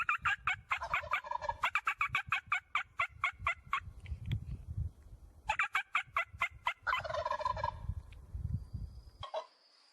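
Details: Rapid staccato clicks run together with rattling turkey gobbles in two bouts, low rumbling background beneath, a thin whistle near the end.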